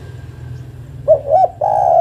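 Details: Female spotted dove calling to the male: a single phrase of two short, slightly rising coos followed by a sustained low coo.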